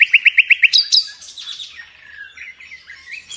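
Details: Gacor nightingale song from Indonesia, where hobbyists use it to tutor caged songbirds: six loud, evenly spaced whistled notes, a sharp high flourish, then soft rambling warbles and chirps fading toward the end.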